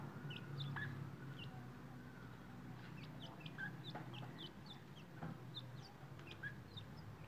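Grey francolin chicks give thin, high, downslurred peeps, several a second and irregular, over a steady low rumble of background noise.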